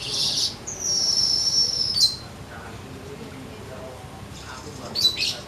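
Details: Untrained weaver beginning to sing freely and softly: a brief hissing buzz, then a long, steady, very high whistle of over a second ending in a sharp note, quiet, then another short buzzy rasp.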